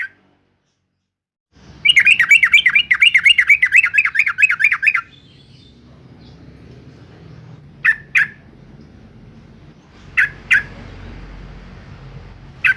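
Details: Yellow-vented bulbul (Pycnonotus goiavier) from Semarang, Central Java, used to provoke replies from other bulbuls: a rapid, wavering three-second trill, then sharp doubled chirps every two to three seconds over a low hum.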